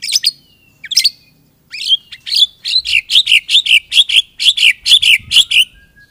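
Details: White-rumped shama song opening with scattered sharp notes, then a steady series of loud buzzy chirps repeated about twice a second.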